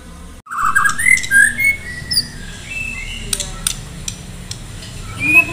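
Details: White-rumped shama from Medan in full song, said to be ready for a singing contest; loud slurred whistles rising and falling between clicks and sharp ticks, with a low steady hum beneath.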